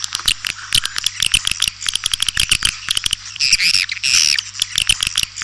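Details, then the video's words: White-nest swiftlet call played to attract swiftlets: rapid trains of dry clicks mixed with short buzzy twitters, with a faint steady low hum underneath. "Suara Panggil burung walet"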